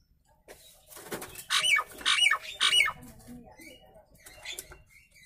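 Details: Nias hill myna delivering three loud, harsh, grating calls in quick succession, each ending in a brief whistled inflection, then softer chattering notes.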